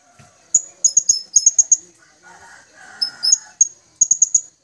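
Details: Twin blue-crowned hanging parrots calling to companions: bursts of very high, piercing chips in quick runs of three to five, with faint murmuring voices in the background midway.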